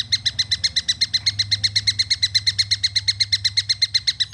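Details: Juvenile long-tailed shrike giving a clear, rapid series of harsh, buzzy notes, about four each second, evenly spaced and steady throughout, with a low hum underneath.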